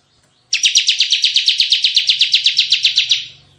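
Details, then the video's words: Bar-winged prinia in full 'tembakan' (shooting) style song: one sustained, rapid trill of about eighteen sharp, high chips lasting under three seconds, evenly spaced and strong throughout, then fading. "suara tembakan CIBLEK GACOR"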